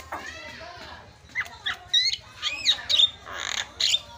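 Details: Javan myna song used as a lure to provoke silent mynas into fast, agitated singing: harsh squawks mixed with short rising whistles and buzzy notes in irregular bursts, over a low background hum.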